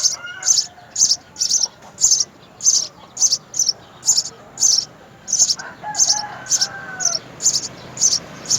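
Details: Three house sparrow young at the nest beg as mother and father feed them: high, raspy chirps in steady bursts, about fourteen in under nine seconds, with a few lower tonal calls midway.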